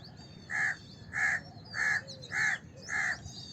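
A house crow gives five harsh, nasal caws, one roughly every second, while thin, high whistles of other small birds sound faintly behind.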